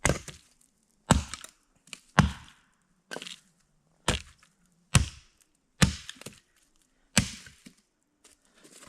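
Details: Wood being chopped at a cabin, sharp cracking blows landing roughly once a second with splintering after each strike and quiet gaps between, no animal voices heard.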